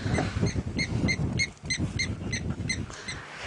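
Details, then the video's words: Blacksmith lapwing calling on an afternoon safari drive on 7 September 2016, behind a young bull elephant heading to a water inlet: sharp metallic 'tink' notes, about three per second, over engine and wind rumble. "And behind him, you can hear the call of the great blacksmith Lapwing."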